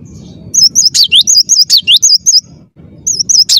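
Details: High, clear, rolling whistles from a gelatik batu, or cinereous tit, in a rapid phrase of about ten notes with dropping flicks, a short pause, then the song resumes.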